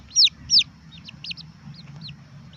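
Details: Red junglefowl chick calling: two loud, high, arched peeps sliding downward, followed by a string of fainter, shorter peeps over a low steady hum.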